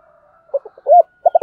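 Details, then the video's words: Brief burst from a sấm thổ spotted dove calling gọi and thúc: a few soft clipped notes, one swelling arched hoot, then a quick triplet of throaty pulses. "Sấm thổ gáy gọi và thúc"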